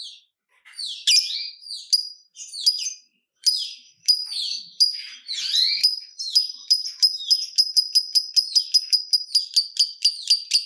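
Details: Lovebird, a fighter type, giving ngekek chatter, used as a lure to get other lovebirds singing. High, twisting chirps speed up into a long, even run of sharp repeated notes, quickening toward the end.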